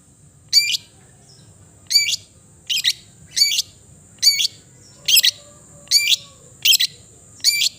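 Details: Long-tailed shrike repeating a short, complex, chattering note roughly every second, each a quick stacked cluster of sharp high sounds, over a thin steady high-pitched whine.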